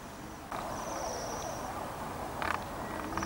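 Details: Waxwings in Bryansk city, December 2023: a high, thin, buzzy ringing trill held for about a second, then a shorter one, against broad traffic-like background noise and a few rustling bursts.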